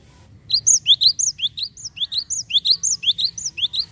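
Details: Java sparrow calls used as a lure to draw other birds: a rapid run of sharp, high chirps alternating with down-slurred notes, about eighteen in under four seconds, over faint low hum.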